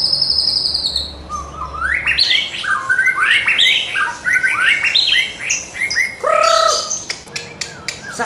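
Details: White-rumped shama in full song packed with mimicked fill-in phrases, played to train birds in the morning: a rapid run of slurred, rising and falling whistles and short trills, one phrase after another with hardly a pause, ending in sharp clicks.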